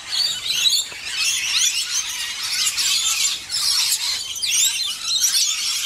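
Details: Rainbow lorikeets busy bathing and feeding: shrill overlapping screeches and chatter that pulse in louder bursts, with a short quieter dip midway.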